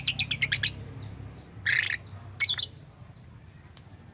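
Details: Pet lovebird, described as a rasta lovebird that makes strange sounds and imitates human speech: a rapid burst of sharp, high chirps, then a harsh, buzzy squawk and a shorter scratchy call, over a low steady hum.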